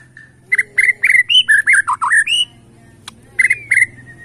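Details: Borneo white-rumped shama in bowing style, singing to provoke rivals: loud rhythmic series of harsh squawky notes with shrill upper overtones, about ten in two seconds, a pause, then three more; low hum throughout.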